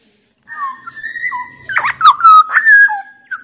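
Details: Black-naped oriole from Sumbawa, a loud, persistent singer used to coax reluctant orioles into song. A long, level, flute-like whistle leads into loud, tangled rising and falling whistles with some harsh, buzzy notes.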